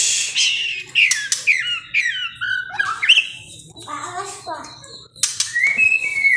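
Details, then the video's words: Caged male white-rumped shama in strong breeding condition at a breeding aviary, singing to pair males and females: varied rich whistled phrases sliding downward, interspersed with sharp harsh notes, ending on a rising clear whistle. "murai over birahi"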